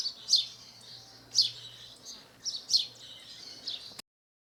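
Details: House sparrow singing in nature in Brazil: a series of sharp chirps, some doubled, spaced irregularly about a second apart, over a faint background hum, ending abruptly.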